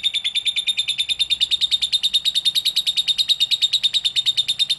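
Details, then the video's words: Lovebird singing, played to prompt other lovebirds to sing: a fast, steady series of sharp chirps, about eight per second, continuing evenly throughout. "SUARA BURUNG LOVEBIRD"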